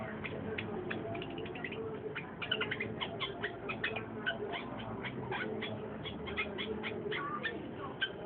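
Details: Rapid, continuous chatter from a long-tailed shrike, crowded short notes and squeaky slurs running nearly nonstop, with a low hum behind.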